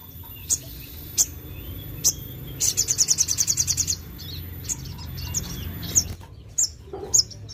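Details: Sogon in full, shooting song meant to make other sogon birds quickly agitated: high, sharp single chips spaced about a second apart, then a rapid, even high trill of about fifteen notes, followed by more scattered chips over low background hum.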